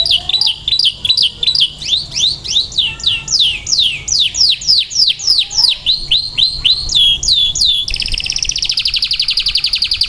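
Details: A white canary sings a long run of high, down-slurred whistled notes, about three a second, ending in a fast, rolling buzzy trill.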